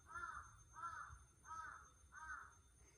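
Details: Crow calling at 5 am on a hot summer morning in Japan, 25 June 2022: four harsh, even caws repeated about every two thirds of a second, over a low steady hum.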